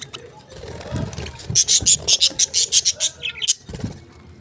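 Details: Lovebird producing a quick series of bright, rasping chirps in a steady run, preceded by low murmuring voices and followed by a few softer notes.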